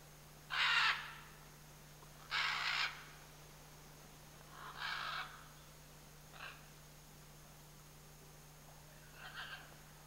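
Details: Pair of scarlet macaws in the Chiquibul area calling: a series of raspy squawks, the first two loud and long, then progressively shorter and fainter, irregularly spaced over about ten seconds, with a low steady hum.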